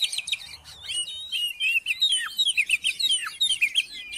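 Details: Oriental magpie-robin singing, a recording meant to coax a silent magpie-robin into song: a fast, continuous stream of sweet twittering and whistled notes, with dense chattering phrases and quick slurs.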